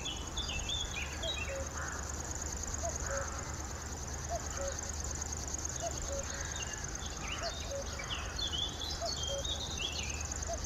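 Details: Male river warbler (Locustella fluviatilis) singing: a steady, high, insect-like reeling buzz of fast pulses runs unbroken throughout, with scattered chirps from other birds, faint soft low notes and a constant low rumble beneath.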